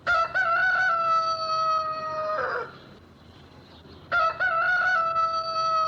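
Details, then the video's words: Rooster crowing twice: each crow opens with quick rising notes, then holds a long, steady, ringing tone for about two seconds, the first ending in a short rough burst; the second crow follows after roughly a second of quiet. "What does a Rooster sound like? (Chicken)"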